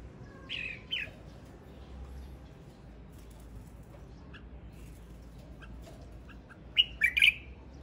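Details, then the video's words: Male red-whiskered bulbul singing: a short burst of bright, slurred notes near the start, a long quiet gap, then a quick cluster of sharp chirpy whistles toward the end over faint background hiss. "Tiếng chim chào mào trống hót"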